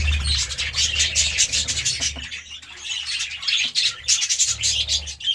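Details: Several budgies eating seeds and vegetables chatter continuously in high, raspy chirps and twittering phrases that rise and fall in loudness, with a low background hum in places.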